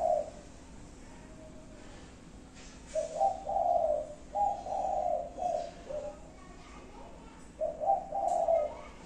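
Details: Spotted dove cooing in its five-note pattern: one short coo, a quiet stretch, then a chain of soft low hoots and another phrase near the end.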